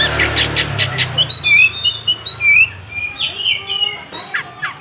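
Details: Oriental magpie-robin singing loudly while spreading its tail: a quick burst of harsh, scratchy rasping notes, then varied clear whistled phrases, some sliding upward or downward, over a steady low hum.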